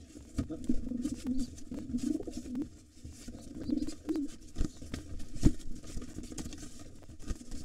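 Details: Wild pigeons at a nest holding two nestlings, where a resident white male fights off a gray intruder trying to take the nest over. Low, rolling coos come in bursts near one, two and four seconds, mixed with thumps and wing scuffling.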